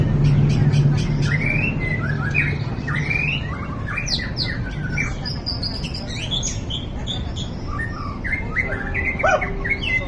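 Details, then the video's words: White-rumped shama, called a champion of every class, sings fast, varied song. Rising whistles, sharp chips and tumbling warbled phrases follow in quick succession, with a low droning background throughout. "Burung Kecil, Suara Sadis! Ini Dia Murai Batu Jawara Semua Kelas"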